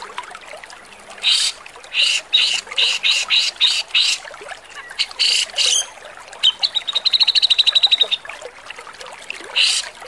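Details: Harsh tutor song of a Javan grey-cheeked bulbul, used to train caged songbirds: about a dozen coarse, scratchy bursts in irregular runs, then a quick trill of high, even notes, closing with another rasping burst.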